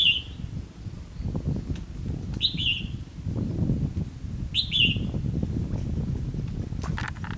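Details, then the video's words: Trapping session with a decoy red-whiskered bulbul calling to lure rivals, 9 September 2016; loud, clear, slurred descending whistled phrases about every two seconds, with rustling and a low rumble between them. "Bẫy chào mào"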